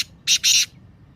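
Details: Black francolin (kala teetar) 'masti' voice: two loud rasping, buzzy bursts in quick succession, the second longer, then silence apart from low background hum.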